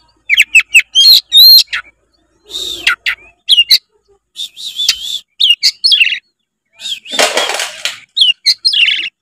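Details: White-rumped shama song used to prompt a lazy young bird to sing: rapid varied phrases of whistled notes, sharp clicks and harsh buzzy bursts with brief pauses, loud and continuous throughout.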